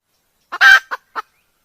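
A junglefowl gives a brief, hoarse crowing burst: a short note, a loud harsh middle syllable, then two quick clipped notes tailing off. Nothing else is heard.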